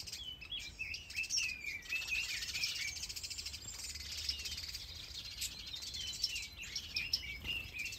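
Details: Chorus from a large, green planted aviary in Denmark holding finches, softbills, partridges, quails, canaries and java sparrows, some with eggs or chicks. Quick bright chirps and short downslurred notes repeat steadily over a constant high hiss.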